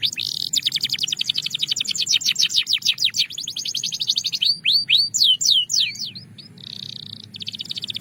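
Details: Belgian canary song opening with a fast, even roll of rapid notes, then breaking into looping upward and downward sweeping whistles before a short buzzy trill.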